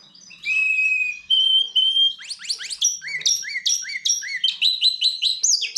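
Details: Goldfinch x canary hybrid singing: a long steady whistled note, then rapid downward-sweeping trills and a series of repeated bright chirped phrases, high-pitched and clear.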